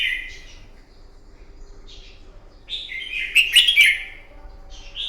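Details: Wild-caught red-whiskered bulbul giving a morning fighting song for bird training: a soft warble at first, quiet gaps with faint notes, then a loud, rich, rolling whistled phrase and a final short note.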